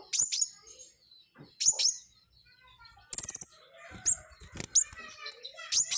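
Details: High-pitched flowerpecker song of piercing downslurred notes and short rapid trills, coming in bursts with brief pauses, plus quieter chirps and clicks in the background.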